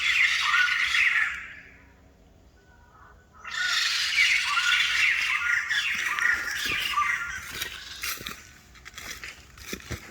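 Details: Rare White-crested laughingthrush giving loud, harsh, chattering cackles: a burst at the start, a short silent gap, then a long continuous raucous chorus that slowly eases off toward the end.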